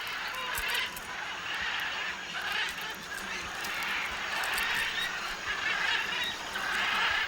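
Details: A crowd of macaws at a clay-lick cliff in Peru's Tambopata Candamo Reserve keeps up a continuous din of harsh, grating squawks while eating clay and fighting over chunks, many birds calling over one another with bursts roughly every second.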